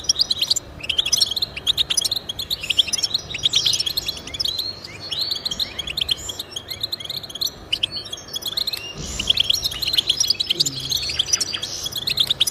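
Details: Goldfinch singing, offered as encouragement for caged goldfinches: a long stretch of rapid high twittering and chirped phrases from more than one bird, continuous and busy over faint hiss.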